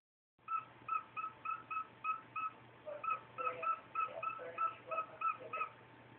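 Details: A male cockatiel beeps to his cage cover in the morning before being woken for the day: a quick run of short, clear beeps, about three each second, like an electronic alarm.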